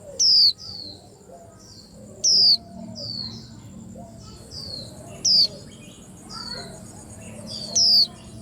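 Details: Four loud, clear, falling whistles from a white-eye, spaced about two to three seconds apart, among a chorus of softer high chirps from other birds.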